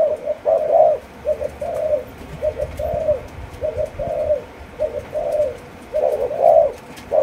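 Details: Malaysian-line spotted dove aged four months delivering a run of chiêu gù chạy coos, low soft notes grouped into short-long phrases and repeated about eight times, with a constant hiss behind.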